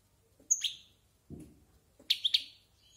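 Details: European goldfinch about a year old, a few separate sharp high chirps with a soft thump in between and quiet pauses.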